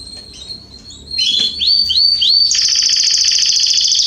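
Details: Canaries in a garden, September 2020, give a few upslurred whistles before breaking into a rapid, loud rolling trill that carries on to the end.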